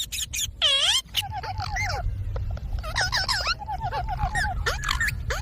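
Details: Green pet parrot chattering over steady low background rumble: a loud swooping harmonic squawk, then strings of short wavering, word-like syllables in uneven clusters.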